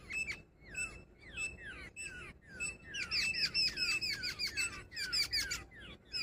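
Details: Female jungle babbler starting with a few spaced, downslurred squeaks and a level whistled note, then building into dense, harsh, rapidly repeated squawking chatter.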